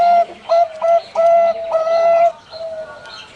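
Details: Zebra dove of the Bangkok type in a bird-farm enclosure at Pamekasan, Madura gives soft, mellow coos mixing short notes with longer held ones, the final notes fading.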